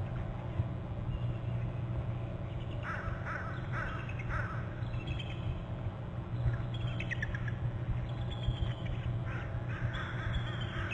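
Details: Two bald eagles arriving together in their territory at a nest on Hornby Island, November 8, perching on the top and upper left branches and both trilling: descending, harmonic chittering notes in repeated bursts over a steady low rumble, recorded by a nest camera.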